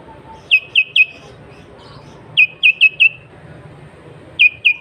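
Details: Sooty-headed bulbul giving energetic natural song as a lure for rival bulbuls; clipped, ringing whistles falling in pitch, grouped in twos to fours, each group separated by short pauses, with faint hum behind.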